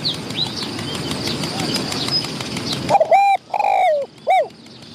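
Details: Wild spotted dove answering a trapping decoy, a medium-voiced bird fighting the decoys nearby. Rustling background noise comes first, then a single coo phrase: a short note, a long falling coo and a final short coo.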